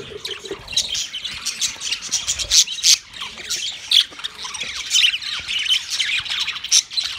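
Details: A yellow male budgie's mating chirps: busy high chatter of squeaks, clicks and short whistles, with louder accented notes about once a second over continuous soft twittering.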